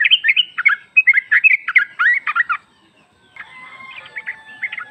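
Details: Female sooty-headed bulbul calling the male, played as a lure: a quick chattering run of mixed warbled notes for over two seconds, a pause, then faint higher notes with a thin steady whistle-like tone.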